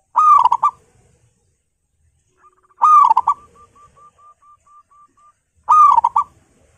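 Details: Local zebra dove kept at home, singing loud: three strong, rolling, buzzy-edged coos spaced about three seconds apart, with a fast series of small clipped notes trailing after the middle one. Quiet background.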